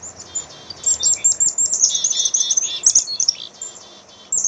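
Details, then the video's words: Black-capped chickadee calling: buzzy dee notes at the start, then a lively jumble of high chips and more hoarse buzzes, with near-continuous twittering. "black cap chickadee bird"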